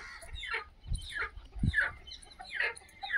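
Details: Aseel chickens at a low-cost free-range desi poultry farm in India give a run of harsh, falling clucks about every half second, with dull thumps and low background noise.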